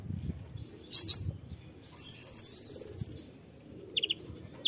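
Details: Konin 'tembakan' burst: two buzzy chips, then a very high, rapid trill of about fifteen even pulses that falls slightly in pitch, followed by a few brief stuttered notes. Low rumbling noise is in the background.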